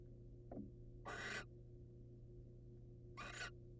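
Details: A male wild barn owl presents his catch to the female on a birdcam. A faint short note is followed by two harsh, rasping hiss-screeches about two seconds apart, with a constant low hum behind.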